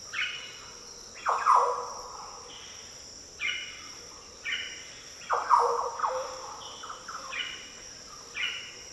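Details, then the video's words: Green Orioles countersinging in the Daintree rainforest, Australia: deep liquid phrases roughly every two seconds, alternating between louder and softer birds, over constant high insect noise. "Green Oriole Sounds - The deep, liquid calls & song of Green Orioles in the Daintree rainforest."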